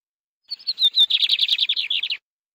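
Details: A canary sings a brisk, high phrase of about two seconds: a few clear whistles, then a fast run of rapid repeated trills, with no other sound.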